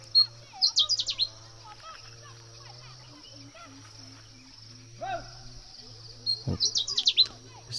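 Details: A Pale-footed Bush Warbler singing for about 20 minutes while hidden in a bush, rainy-season morning in the mountains of northern Thailand, gives two short bursts of high, tinny, rapid chattering, with other birds faint and a low hum.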